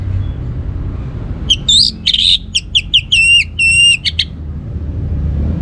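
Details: Orange-headed thrush song used as a teaser to prompt other birds to sing. After a quiet start, a burst of rich, slurred whistles and clipped chips comes in rapid alternation for about three seconds, with low background rumble.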